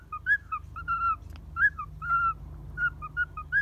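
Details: Boarding pet cockatiel at a bird hotel in Kobe, Japan, perched on a person's hand, balancing and in a cheerful, playful mood; soft whistled chirps alternating up and down in pitch, given in quick uneven runs with short pauses, over a low background hum.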